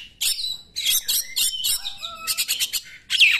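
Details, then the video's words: Oriental magpie-robin singing in the 'nembak' style, used to provoke reluctant magpie-robins into singing: squeaky high phrases, a falling whistled slur, then a quick run of five sharp repeated bursts and a final harsh note. "KACER NEMBAK, UNTUK PANCINGAN KACER YANG TIDAK GACOR"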